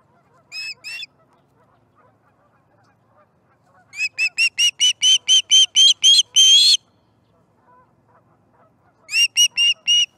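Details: Osprey at the nest at feeding time, 18 September 2019: two short whistles, then a rapid, accelerating series of about eleven high chirps that stretch into longer notes, followed by a few more chirps after a pause.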